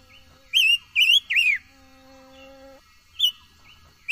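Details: Silver-eared mesia singing for voice training: a rapid three-note whistled phrase with swooping notes, a pause filled with a faint low steady hum, then single short whistles.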